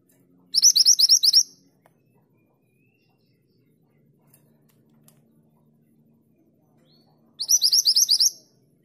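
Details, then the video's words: A female pied bushchat calling to the male gives two bursts of quick, high, scratchy notes, each about a second long and six seconds apart, over a faint low background hum. "Mantenan gunung betina memanggil jantan"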